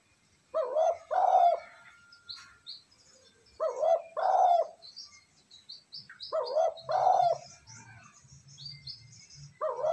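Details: Cooing spotted dove used to get decoy birds calling quickly. Low, throaty two-part phrases come about every three seconds. Many high, thin chirps from other birds and a low droning hum run beneath.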